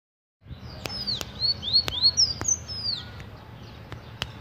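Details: Sanhaço (tanager) song: a quick run of high, thin, slurred whistles, some rising and some falling, packed into about two seconds, over a low background rumble with a few sharp clicks.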